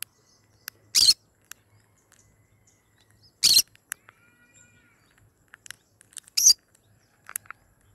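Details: Pet yellow-sided and cinnamon green-cheeked conures kept at home: three loud, harsh, rasping screeches about two and a half seconds apart. Short faint chirps and ticks fill the quiet gaps between them.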